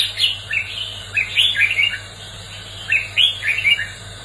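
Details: Red-whiskered bulbul giving a loud fighting song for training and stirring up wild-caught birds; quick runs of clear, rising and falling whistled chirps repeated in short bursts, with a constant low background hum.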